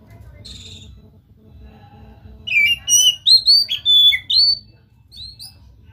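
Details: Oriental magpie-robin singing energetically after a faint opening note: a rapid string of bright whistles stepping up and down in pitch, with sharp upslurs and a brief downward slide, then two softer trailing notes.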